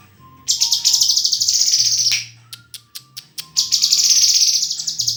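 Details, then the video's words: White-rumped shama song of long, rasping, high trilled phrases broken by sharp clicks and soft, flat whistles, over a faint low background hum. "SUARA INDAH BURUNG MURAI GACORRRRR!!!"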